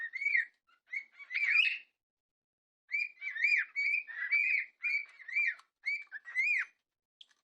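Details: Several cockatiels, described as happy and whistling away, give bright rising and falling chirps in quick repeated bursts.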